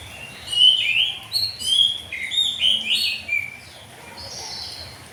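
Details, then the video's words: Oriental magpie-robin singing in the morning in the loud open ngeplong style; bright whistled phrases with sharp rising and falling notes follow one another rapidly, then a softer trailing phrase ends the passage. "kacer ngeplong di pagi hari"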